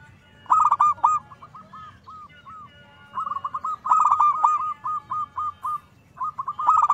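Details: Zebra dove song used as a lure to set off other doves: strings of short arched coos, some loud and rolling, others softer, forming long runs of repeated notes at a steady mid pitch.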